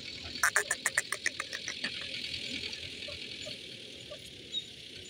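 A francolin gives a quick run of about a dozen harsh, clipped notes that fade over a second and a half, over a steady high insect hum.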